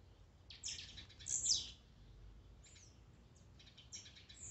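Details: Blue-black grassquit esquente with overlapping high buzzy notes and stuttering fainter bursts, giving a busy, jumbled chorus of short descending buzzes.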